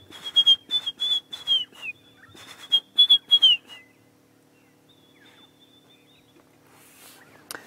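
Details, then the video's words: At sunrise on a June 1, 2016 safari drive in Sabi Sand, a white-browed scrub robin in the background gives an alternative call: high, thin whistles repeated in quick bursts over three seconds, then a long faint whistle; low steady hum underneath. "then in the background, you can hear a white-browed scrub robin giving an alternative call."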